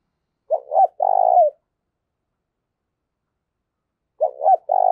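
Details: Spotted dove call used to stir fighting and as a decoy: a full phrase of two short notes and a long purring coo with a downward end, then after a gap of over two seconds the next phrase begins.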